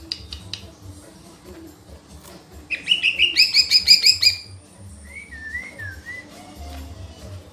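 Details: Lesser green leafbird song: after quiet soft chips, a loud burst of about ten rapid, evenly spaced whistled notes, followed by a few quieter slurred whistles.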